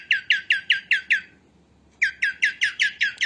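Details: Female cockatiel voice for cockatiel training: two bursts of scratchy, falling chirps in quick succession, separated by a half-second pause, each note sharp at onset and fading.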